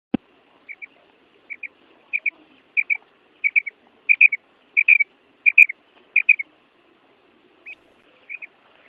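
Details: Female quail calling during the breeding season: high, clear double notes, like a quick paired pip, repeated about every half to three-quarters of a second, with a few single notes and short pauses in between.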